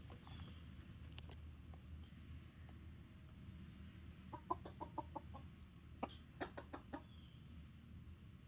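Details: Chickens warning the flock give a series of short, sharp clucks in uneven bursts, roughly a dozen notes through the latter half, over a steady low rumble of background noise.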